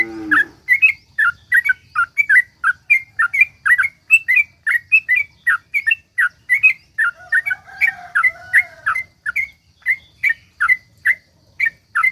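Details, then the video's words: Sooty-headed bulbul singing the rapid 'ropel panjang' style meant to coax other bulbuls into song: a long unbroken chain of brisk, bubbly whistled notes, with a short harsh sound at the start and a faint lower whistle midway. "suara trucuk gacor ROPEL PANJANG ampuh buat pancingan trucuk agar bunyi"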